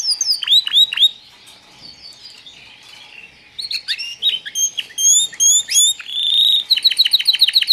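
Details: Young white foreign canaries, newly arrived, call with loud, sharp descending tweets, then a busy stretch of high slurred chirps, ending in a rapid, regular series of bright repeated notes about four per second.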